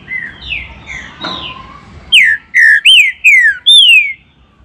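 A green-winged saltator sings a phrase of five loud, rich, downslurred whistles, about two per second, after some softer whistled notes.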